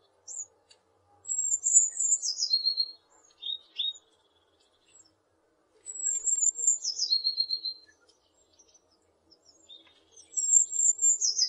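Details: Eurasian blue tit song: three phrases, each of thin high notes sliding down into a quick, dry, lower trill, with short pauses between phrases and no other clear sounds.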